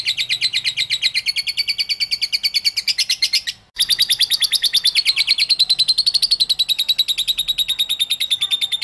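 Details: Lovebird in full ngekek konslet, an unbroken stream of quick, piercing, buzzy chatter notes, about three per second, with one short gap midway; clean recording without other sounds.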